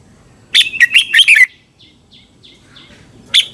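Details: Red-whiskered bulbul from Thailand in song, a sound used for training caged birds: one warbling phrase of about six quick whistled notes, then soft faint chirps and a final bright note.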